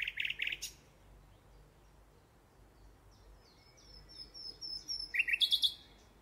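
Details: A live nightingale sings: a burst of rapid chirps opens, then after a quiet pause a run of thin high whistles and a short buzzy trill close the phrase, fairly faint against a soft background hiss.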